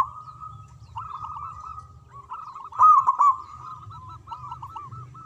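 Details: Caged local zebra dove in song. Steady soft cooing rises to a loud, rolling, trilled burst, followed by a string of separate looping coo notes.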